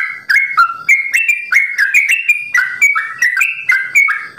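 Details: Sooty-headed bulbul from a bird farm, simbar jati variety, delivering long rapid-fire ropel song: loud whistled notes stepping up and down, each phrase ending with a sharp upward flick, tumbling quickly with no pauses.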